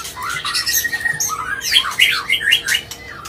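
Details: White-rumped shama in an agitated, non-stop song used to provoke other birds, a varied stream of whistled slurs and harsh squawky notes jumping between registers, with a steady faint hum underneath.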